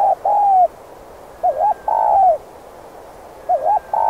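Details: Spotted dove used to lure wild doves, urgent gù cooing: a wavering note followed by a long flat-then-falling coo, about three phrases, mellow low voice over light hiss.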